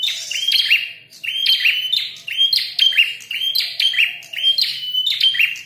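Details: Combative red-headed prinia keeps up lively, high-pitched chirping, each burst opening with a piercing whistled note and trailing into rapid twitters, repeated evenly.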